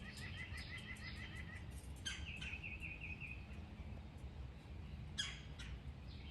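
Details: Smallish red-headed woodpecker at backyard suet feeders in Alabama, fussing at a cat, dogs and a person on a patio: a quick run of bright chirps, then a falling call and a short chattering series, over low steady background noise.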